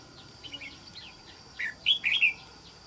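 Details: Wild-caught red-whiskered bulbul used for trapping, praised for a good wild island-forest voice; after quiet faint chirps, a burst of loud, short warbled notes comes in quick succession over a steady high hiss.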